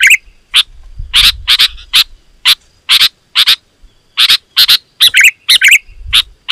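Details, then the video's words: Loud sooty-headed bulbul calling meant to make wild bulbuls agitated and answer: doubled scratchy chirps at a regular pace, with occasional twangy, downslurred notes and a faint low rumble. "Suara Burung KUTILANG GACOR, Rapat dan Lantang Burung Kutilang Liar Auto Emosi dan Mendekat"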